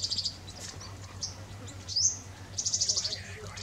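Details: Thick-billed Flowerpecker, vocalizing like a Purple Sunbird singing nearby, gives a quick series of dry, high ticking notes and a single rising squeak over a steady low hum.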